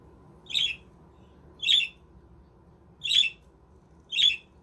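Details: Caged budgerigars in a homemade aviary village; four grating squawks spaced a second or more apart, with little else audible.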